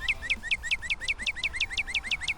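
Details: A Northern Cardinal, West Virginia's state bird and a year-round resident there, repeats a clear, downslurred whistle about five times a second, each note sweeping quickly from high to lower pitch in a steady series.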